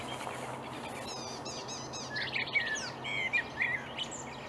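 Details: At dawn in May 2020 a marsh warbler sings in reeds near Upplands Väsby, Sweden: soft rapid notes swell into a jumble of buzzy trills and fluty whistles, with a low background hum.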